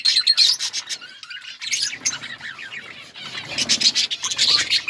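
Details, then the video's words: Outdoor colony of budgerigars giving busy overlapping chirps and chatter, high and scratchy, briefly easing near the middle before the flock chorus swells again. "Budgies birds chirping sounds in outdoor colony"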